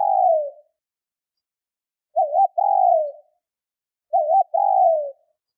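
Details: The tail of one coo, then two full phrases of a female spotted dove call used to stimulate males. A wavering short note precedes each longer, falling coo, about every two seconds, with a silent background.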